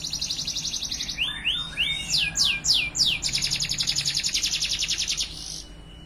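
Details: Training song of a Timbrado Español canary, opening with a fast metallic trill, then a few sliding whistled notes and bold descending sweeps, before a long rapid rattling roll that stops abruptly near the end; soft low hum beneath.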